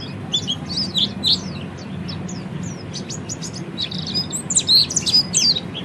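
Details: Ngeriwik twittering of an Oriental white-eye for bird training: soft, high scratchy chirps in loose groups, a quieter gap midway, then brighter sharp notes near the end.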